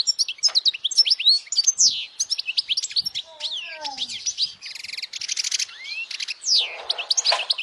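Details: Loud European goldfinch song offered for young goldfinches to learn: a dense run of high, quick chirps and slurred whistles, with buzzy rattling bursts and a few softer lower descending notes midway.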